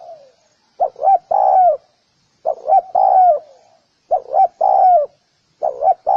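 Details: Spotted dove cooing: four repeated phrases, each two short rising hoots followed by a longer, drawn-out coo that slides downward, with pauses of about a second between phrases; otherwise quiet.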